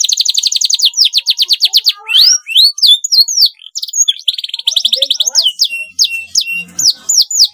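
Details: Canary song for young canaries learning to sing: an opening rapid trill, then varied hooked slurs, clicks and buzzy rolls, repeated phrases about one second apart.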